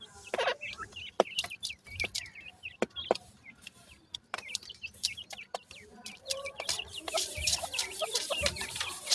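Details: Dakhni teetar francolin chicks calling together, a busy stream of high, short, down-curving peeps with scattered sharp clicks and rising hiss toward the end.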